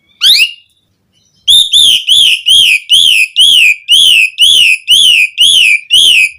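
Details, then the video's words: Asian pied starling song meant to prompt caged starlings to sing: an opening rising whistle, a pause, then a steady run of eleven identical high, arched whistled notes, roughly two per second. "Suara Kicau Jalak Suren Memanggil Burung Jalak Agar Cpt Gacor - Pancingan Jalak Uren Full Isian"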